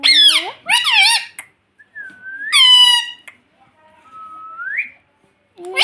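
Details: Pet rose-ringed parakeet talking: harmonic-rich, word-like squawked syllables at the start, then a long rising whistle, a quieter rising whistle and another burst at the end.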